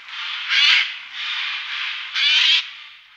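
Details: Eurasian jay recorded one morning in 2018 in the Wittlich valley: drawn-out, grating rasps running almost continuously, with two louder, harsher screeches standing out.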